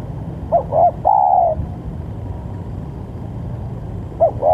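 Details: Lively spotted dove, its call meant to draw rivals into calling: a quick pair of short coos then a sustained flat coo, with the next phrase starting at the end, over steady low traffic-like rumble.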